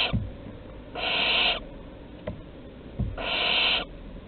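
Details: Barn owl nestlings at the entrance during a prey delivery, Théding, 15 August 2020: two rasping, screechy hisses about two seconds apart, with a few soft knocks between them.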